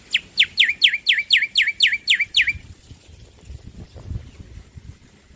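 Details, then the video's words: Loud male black-winged myna sings a brisk run of roughly ten downslurred whistles ending in a short upturn, spaced about a quarter second apart, then falls silent over faint low background rumble. "Masteran Jalak Putih Jantan Gacor Suara Keras"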